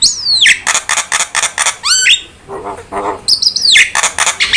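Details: Javan myna song meant to stimulate other birds to sing: repeated harsh, noisy squawks broken by clear whistles that swoop downward, with a quieter mumbled passage midway.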